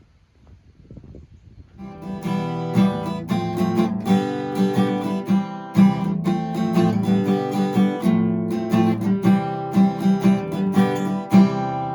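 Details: Strummed acoustic guitar music plays throughout, with no animal sounds.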